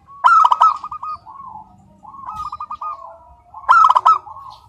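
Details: Local zebra dove singing nonstop with a clear, crystal-toned voice: loud rolling cooed trills near one pitch, bursting out at the start and again near the end, with softer overlapping trilled coos from other doves between.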